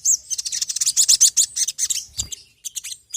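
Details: Sogon (ruby-cheeked sunbird) song used as a lure call: dense, fast, very high twittering of sharp chirps, running almost continuously, then a brief pause and a few thin, separate notes.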